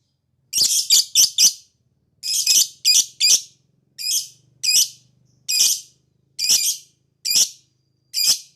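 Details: Chattering lovebird ngekek used as a singing trigger for other lovebirds: grating high notes, first a quick triple, then clusters and single notes spaced about a second apart, quiet background.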